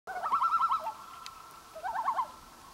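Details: Common loon on Gavia Lake in 2011, giving two short quavering bursts of rapid wavering notes, each under a second, separated by a pause, over a quiet background.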